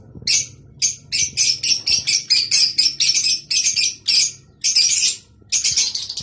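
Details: Mating calls of rosy-faced and Fischer's lovebirds, meant to stimulate breeding: rapid series of shrill, high-pitched chirps, about two or three per second, in steady bursts with brief pauses.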